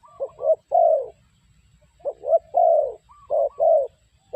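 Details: Low hollow coos from a spotted dove kept as a trapping decoy, three phrases of short-short-long notes in quick succession, with a faint higher whistle overlapping the starts.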